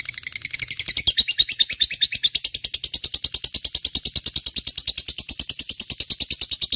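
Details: Gacor lovebird song meant to prompt other birds into singing: an unbroken stream of fast, scratchy, high-pitched chatter, roughly three notes per second, strengthening after the first second and holding level.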